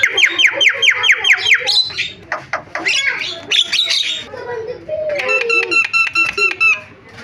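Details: Javan myna (jalak kebo) in varied song: a rapid series of repeated chirping notes, then rasping chatter and a fast run of bright repeated whistled pips.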